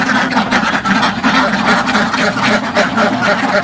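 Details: Flock of pen-kept ducks on a simple village farm, recorded from right in front of the enclosure; loud, continuous, overlapping nasal quacking with no talking or music.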